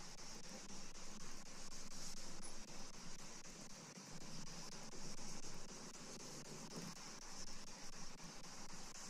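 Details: Steady hiss and low mechanical hum, like a fan or distant traffic, carries on without any animal calls.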